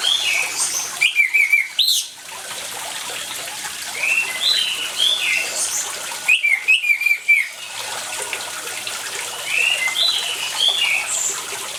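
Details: An orange-headed thrush, recorded with water sounds to stir silent birds into song, gives two short loud bursts of high whistled, slurred notes several seconds apart, with softer notes over constant trickling water between.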